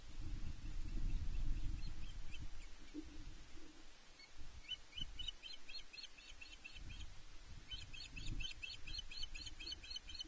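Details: Osprey pair at the Loch Arkaig nest, Scotland, 5 July 2021, on a live nest camera; the female calls loudly until the male arrives with a fish. Thin whistled chirps in rapid series, repeated bursts over heavy low wind rumble.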